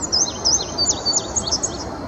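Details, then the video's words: Sandy Bottom Nature Park, Virginia, early May 2019: a male indigo bunting sings from a treetop. Rapid high chirps come in pairs, swooping down then up, about a dozen notes in two seconds over faint outdoor noise. "Indigo Bunting singing"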